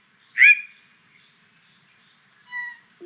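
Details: Yellow-breasted Chat, which can meow: a loud, abrupt, slurred call note, then after a two-second gap a softer, even, nasal tone, heard against a quiet background.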